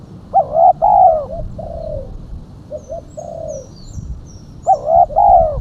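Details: Spotted dove, female, calling to lure birds: loud, rolling double coos at the start and end with gentler short coos between. Thin high whistles from another bird run across the middle.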